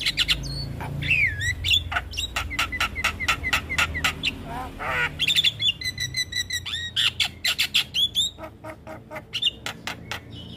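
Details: Black-winged starling, a young bird, delivering a busy full song: quick repeated chips, looping whistles, a rough buzzy phrase, then evenly spaced sharp notes.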